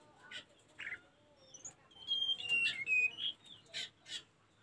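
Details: Tledekan gunung (Sunda robin) on a training recording for caged birds: scattered chirps and buzzy notes, then a run of thin piercing whistles at differing pitches, ending in sharp bursts.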